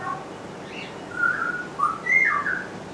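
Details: Pied butcherbirds at Surfers Paradise, Gold Coast, on 3 Dec 2010 give clear, fluty whistled notes, some sliding up or down, in a short phrase of four or five tones over soft hiss, mimicking birds such as kookaburras, rainbow lorikeets and magpies.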